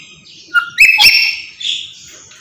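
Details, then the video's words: Black-capped lory calling: a brief whistled note, then an explosive harsh double screech, trailing off into a softer nasal squeal. "Burung Nuri kepala Hitam Teriak gak henti"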